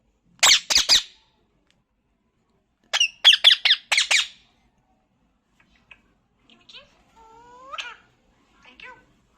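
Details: A pet talking parrot in a small room gives three harsh squawks, then after a pause a burst of five more, followed by soft scattered clicks and a faint drawn-out whistled note.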